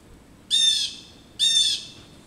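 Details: Blue jays mobbing an adult male osprey roosting in a back yard: a pair of grating, buzzy screams, nearly a second apart, over quiet background.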